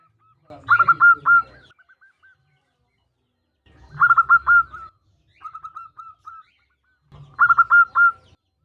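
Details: Female zebra dove of local stock calling the male: repeated bursts of rapid, clear cooing notes every few seconds, plus a softer run of short coos in between, over quiet background.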